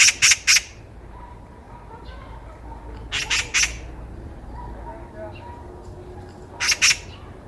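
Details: Eurasian magpie heard during a walk, sounding off in three separate clusters of three rasping notes spaced a few seconds apart, quiet background between.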